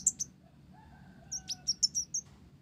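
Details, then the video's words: Blorok olive-backed sunbird song carrying Java sparrow phrases: two bright opening notes, then a lively sequence of six sharp, high chirps, with a faint low whistle in the background. "Konin Blorok Gacor isian Gelatik"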